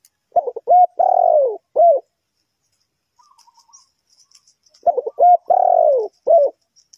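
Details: Spotted dove cooing in a bird-trapping setting, where it is used to lure wild birds: two loud, mellow phrases of several short hoots around one long, falling, drawn-out coo, with a pause between phrases and faint high chirps in the background.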